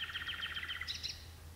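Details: Common nightingale singing at dusk inside birch bushes, two birds present: a fast rattling run of chirped notes sliding slightly downward, ending in a higher brief flourish, with a low background hum.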